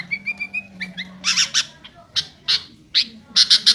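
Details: A sooty-headed bulbul gives a run of short, clear whistled notes, then loud harsh chattering bursts repeated two or three times a second, over a faint low hum.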